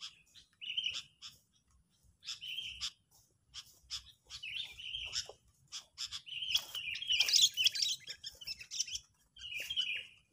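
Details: Agitated sooty-headed bulbul calling as a lure for bird trapping: ten seconds of fast, irregular chirps and rasping notes, building to a loud chattering outburst before easing off.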